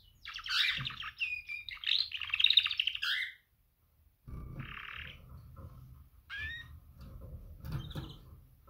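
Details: Female canary calling to males as a mating call: a dense run of buzzy chirps followed by a short pause, then scattered single chirps and brief sweeping notes over low background noise.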